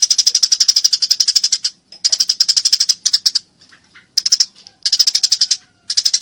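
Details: Tree sparrow fighting: fast strings of sharp chirps about four per second, grouped into uneven bursts with short silences between them.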